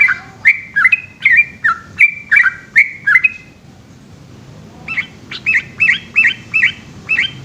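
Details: Long night ropel song of the yellow-vented bulbul (trucukan): a rapid run of bubbly notes, a pause of about a second and a half, then another quick chattering burst.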